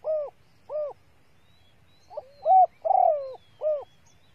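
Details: Female spotted dove call meant to stimulate males: two separate mellow coos, a gap, then a brief pickup note, a strong coo, a burred quavering drawn-out note and one final soft coo.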